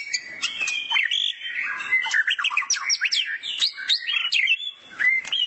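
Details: Morning song of a young wild white-rumped shama sunning itself: dense, fast medley of whistled upslurs, sharp chips and trills, scarcely pausing, ending in a few clear rising whistles.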